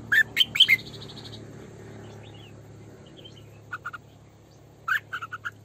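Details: Female red-whiskered bulbul kept as a decoy, singing in the full 'sổ bọng căng' style: short bright chirped notes in quick clusters at the start and again near the end, separated by a quiet stretch with a low steady hum.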